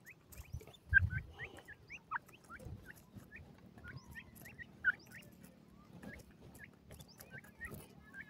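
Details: Female Indian francolin calling: a steady series of short, high, upward-hooked chirps, sometimes doubled, repeating every half second or so over a faint low background rumble with occasional soft thumps.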